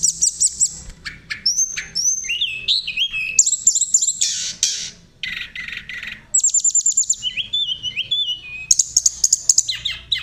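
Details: Sunda robin in a long, vigorous, flute-like rolling song used to trigger other birds into singing. High trills alternate with clear whistled slurs, harsh buzzy bursts and rapid chattering runs, the phrases changing every second or two.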